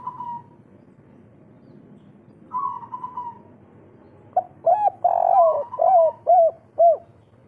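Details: Kuk 3 style spotted dove, local bird, used to stimulate breeding drive in other doves; faint higher wavering trills first, then a strong burst of about six loud arched coos.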